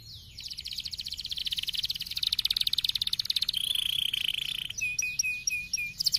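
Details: Canary stimulating song: fast buzzy trills high in pitch, a rapid pulsed run shifting to a steadier lower trill, then short repeated upslurred notes near the end.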